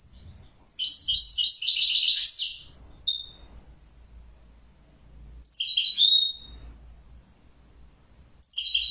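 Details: Twittering song of a European goldfinch, with a dense jangling phrase of about two seconds and a sharp thin note, then further chirpy, slightly buzzy phrases after silences; soft low background noise.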